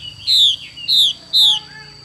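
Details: Female Chinese hwamei calling in the xùy style: three clear descending whistles about half a second apart, then a faint lower note trailing off.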